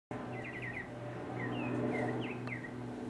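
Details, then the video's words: Mockingbird singing solo in 2015: a quick run of four or five identical down-slurred whistles, then a string of varied single slurred and rising notes, over a steady low hum. "mockingbird Solo 2015"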